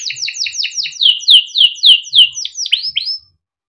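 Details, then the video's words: Song of a young canary in steady voice, played to coax juvenile canaries into singing: a rapid series of repeated downslurred whistled chirps, then slower looping swoops, ending abruptly. "SUARA KENARI MUDA GACOR untuk pancingan kenari paud || kenari gacor panjang || canaries singing"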